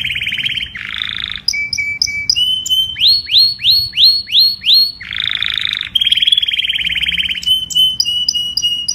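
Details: Canary calling the flock with a mix of buzzy rattling trills, a steady whistled tone and a series of rising-then-falling slurred notes repeated at a quick pace.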